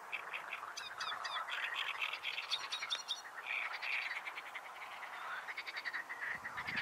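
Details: A Great Reed Warbler sings in windy May weather at Slatina, a small marsh at the edge of a pond just outside Prague, Czech Republic: loud, harsh, croaking phrases, grating notes mixed with higher chirps, in quick bursts, other birds faint behind.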